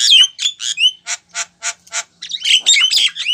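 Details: Calling female Javan myna summoning a male: whistled slurs at first, then five evenly spaced raspy chack notes, ending in a dense burst of squawks and whistles.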